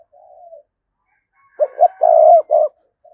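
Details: Decoy spotted dove calling to provoke a response from wild doves: one soft falling coo, a pause, then a loud clipped series of hoots merging into a sustained hollow coo and a final short hoot.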